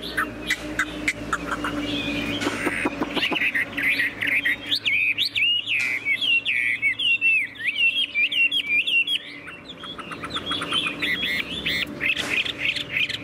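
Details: Caged tame Chinese hwamei singing at length: a buzzy, clattering jumble at first, then looping whistled notes repeated roughly twice a second, with a brief quieter pause before the song resumes.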